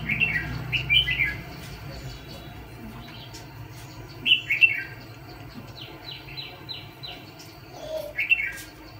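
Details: Red-whiskered bulbul used as a decoy for trapping fighting birds, giving short warbled, slurred phrases near the start and again around four and eight seconds, with other high descending whistles between them.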